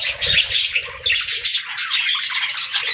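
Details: Budgerigars singing, a dense flock chatter of warbling, chirping and squawky notes packed into a continuous busy mix, with short scratchy bursts overlapping throughout.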